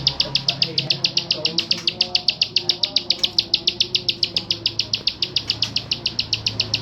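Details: Klik calling of a bar-winged prinia from Mojokerto: a fast, even series of sharp ticking clicks, roughly three to four per second without break, over faint low background hum.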